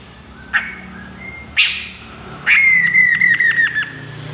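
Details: Chestnut-capped laughingthrush: two brief sharp squawks about a second apart, then a long falling whistled note breaking into a quick stuttering run of pulses.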